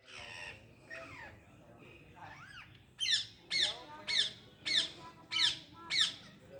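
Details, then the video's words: Parrot calling: low, throaty, speech-like sounds at first, then a series of six harsh, high squawks at an even pace, roughly two per second, with a faint room hum beneath. "Parrot full power use to voice"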